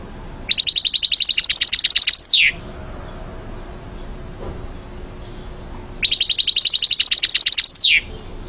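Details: Goldfinch singing actively: two identical phrases about five seconds apart, each a rapid run of high, evenly repeated chirping notes lasting nearly two seconds and ending in a sharp downward-sliding note, with quiet background between.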